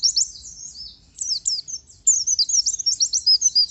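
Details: High-pitched chattering song of an oriental white-eye kept in a cage, quick slurred chirps about three per second at first, then a dense rapid trill of sharp notes after a brief gap.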